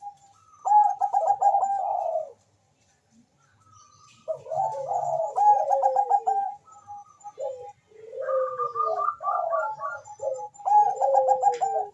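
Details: Fast-calling Bangkok zebra dove answered by a rival, suited as a lure: bursts of clipped, bubbling coos rolling into long falling notes, repeated in phrases a few seconds apart, with faint low rumble beneath.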